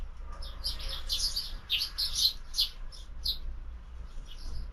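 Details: Several sparrows chirp at a feeder in the afternoon, a chatter of short bright cheeps in quick bursts, louder in the middle, with a low steady hum beneath.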